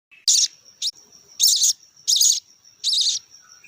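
Budgerigar chicks give harsh, raspy begging bursts in quick succession while being fed.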